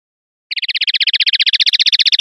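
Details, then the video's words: Clean-style linnet song, pardillo limpio, 2021/2022: after a short pause, a very fast, steady trill of high, ringing notes, about fifteen per second, holding one pitch until the end. No other sounds are heard. "CD PARDILLO LIMPIO 2021/2022"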